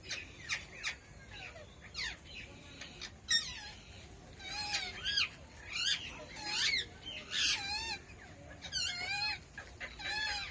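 Red-breasted parakeets give harsh, squawky calls with rapid wavering notes, in bursts about every second, with several birds chattering over a faint background hiss.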